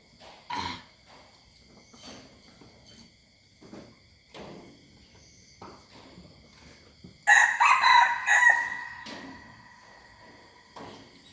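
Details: Young hybrid junglefowl rooster giving a single strident crow of about one and a half seconds, preceded by scattered knocks and faint background sounds over a low hum.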